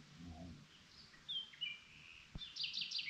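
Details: Nocturnal song of a common nightingale: thin drawn-out whistles and slurred notes at varied pitches, then a clicking burst of rapid repeated notes closing the phrase, with a low background hum.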